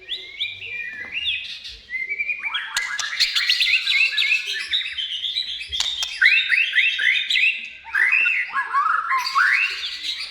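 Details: White-rumped shama singing gacor: bursts of varied whistled phrases, many sweeping upward, repeated in quick series with short pauses between bursts and occasional clicks.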